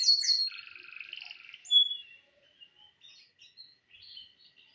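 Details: Canary song practice on Thursday morning, 18 December 2025: a few high sharp notes open a buzzy rolling phrase and a bright whistle, then scattered faint chirps fading out.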